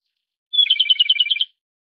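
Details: Japanese robin singing a single rapid rattling trill lasting about one second, a sharp high opening note followed by a fast even series of pulsed notes around the middle of its range, against clean silence.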